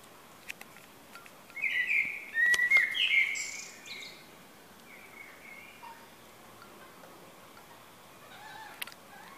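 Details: Morning sounds in a garden on 31 May 2017: a rose-ringed parakeet gives a harsh two-second burst of grating screeching squawks, then softer scattered calls and faint chirps. A blackbird is also present. The background is quiet.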